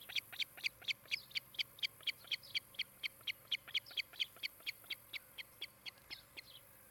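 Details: Nest-camera recording of an osprey at Charlo, Montana, 16 July 2018, afternoon: a brisk, regular train of shrill whistled chirps, roughly three each second, steady in pitch and loudness, fading slightly toward the end.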